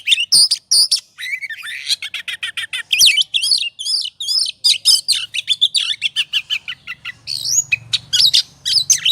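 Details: Oriental magpie-robin lure song to provoke singing: fast, loud medley of harsh buzzes, chattering notes and whistled slurs delivered in quick succession, with slight low hum in the background.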